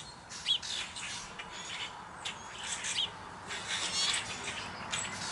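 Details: Several blue jays feeding on almonds put out for them: coarse, scratchy squawks in irregular bursts through the clip, with a loud sharp note early on and a soft background hiss.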